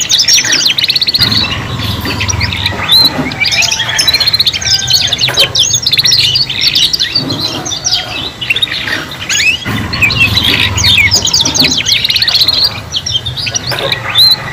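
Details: Young canaries learning to sing in a group of three, a busy chorus of high chirps, fast trills and sweeping whistled notes running continuously over a low background hum.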